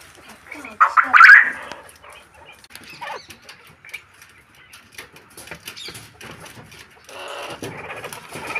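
A male quail gives one brief, loud, harsh burst of a call near the start, followed by quiet rustling and faint background noise.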